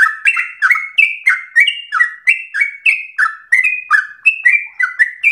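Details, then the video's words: Rapid, insistent sooty-headed bulbul song in 'ropel' style, meant to spur other birds and teach song: a dense run of chirpy downslurred whistles, rising and falling in pitch from note to note. "Trucukan gacor ropel ngotot narung emosi"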